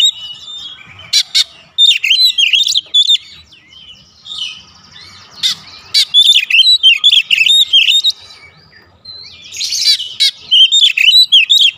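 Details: Oriental magpie-robin in energetic song: bursts of sweet twisting whistles and chattering notes, punctuated by sharp rasping clicks, with short quiet gaps between phrases.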